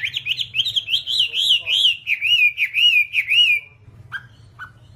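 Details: A Hwamei sings a flowing series of wavering whistled notes, rolling up and down for several seconds, then a pause and a few short, soft calls, recorded as training material for kept birds; constant low hum.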